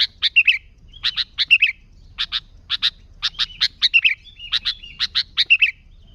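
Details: Sooty-headed bulbul singing vigorously, recorded pure as a lure for bulbuls: steady phrases of paired sharp chips, each ending in a brief slurred note, repeated through six seconds.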